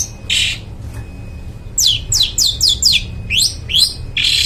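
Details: Long-tailed shrike in full, lively song, used to stir silent birds into singing: a loud run of quick, rising whistled sweeps repeated about twice a second, mixed with harsh buzzy bursts, over a low background rumble.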